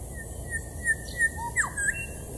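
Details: Grey Shrike-thrush, elusive and constantly moving in a tree at a forest edge at Deception Bay, gives soft, clear whistled notes, about five in two seconds, with one low rising note and a sharp down-slurred whistle, over a low rumble.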